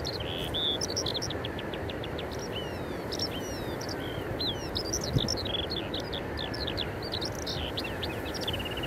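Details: Singing Eurasian skylark (Alauda arvensis) at Eyemouth on 30 May 2024, recorded with a Canon EOS 90D camera: a continuous, rapid stream of high chirps, trills and short slurred whistles over steady low rumbling background noise.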